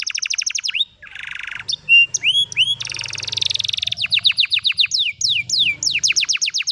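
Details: ['In the afternoon an old canary delivers rapid trills, a low buzzy roll, clear held whistles and a long run of evenly repeated sweeping notes.']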